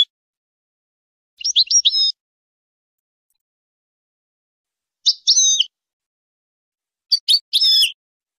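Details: European goldfinch singing for training and breeding stimulation: three short phrases of fast, tinkling twitters separated by pauses of a few seconds, the last one with sharp clicking chirps before its run; nothing else heard.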